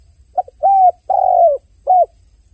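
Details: Low mellow cooing from a crying dove: a short double note, a long level coo, a longer swelling coo that drops at its close, then one shorter coo; a faint steady whine persists.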